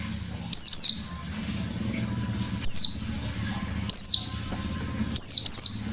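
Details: White-eye singing in the 'ngalas nembak' style: four bursts of very high, sharp notes that slide steeply downward, spaced a second or more apart, with quiet gaps and a faint low hum between.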